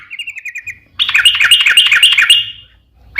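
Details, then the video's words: Yellow-vented bulbul singing as a lure for other bulbuls: a soft run of quick descending notes, then a louder burst of rapid bubbly, gurgling phrases that fades out. "trucukan gacor ROPEL PANJANG buat pancingan trucukan agar bunyi"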